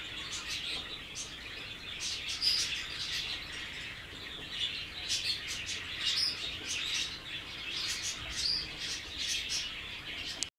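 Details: Hand-tamed budgerigar chick chirping: quick, thin high twitters and ticks in loose bursts, with a steady faint hiss of room noise beneath.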